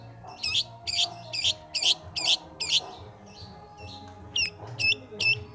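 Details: Long-tailed shrike, known locally as pentet or cendet, singing vigorously: a run of six harsh, buzzy notes about two per second, a short pause, then hooked, whistled notes with a sharp upward flick, over a faint low hum.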